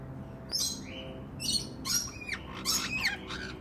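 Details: Captive black-headed caique in a Brisbane, Australia aviary, 2016, while eating passionfruit, giving shrill, raspy squawks in quick bursts about every half second, some with a rising whistled edge, over faint low hum.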